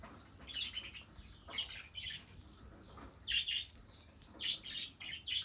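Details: Pet budgerigar warbling in scratchy chirping bursts, a longer cluster early, then paired chirps repeating roughly every second, low steady hum behind.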